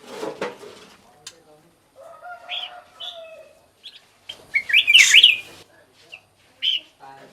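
Black-crested Bulbul: short, bright whistled phrases with a quick up-and-down warble in the middle, given in bursts. A brief low, voice-like sound opens the recording.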